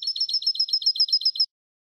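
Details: Young-goldfinch tutor song in the 'eco' style without endings or flourishes. About twelve high, identical notes repeat very regularly over roughly one and a half seconds, then stop. No other sounds are present.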